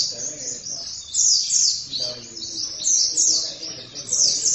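An oriental white-eye sings a very high, rapid, jumbled twitter in bursts of about a second, with faint voices murmuring low in the background.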